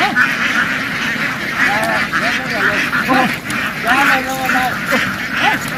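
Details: Farm ducks in a field, running into water and hopping back ashore while calling loudly. Many short nasal quacks overlap in quick succession above a thick, hissing din from the flock.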